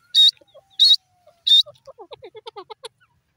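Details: Three loud, piercing high notes from a male grey francolin, spaced about two-thirds of a second apart, then a quick run of soft, lower clucking pips trailing off.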